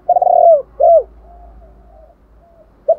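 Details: Spotted dove calling as a decoy to lure other doves: a long, quavering mid-pitched coo, then a short arched falling note, and a faint brief note at the end. Soft low-pitched coos trail quietly between them.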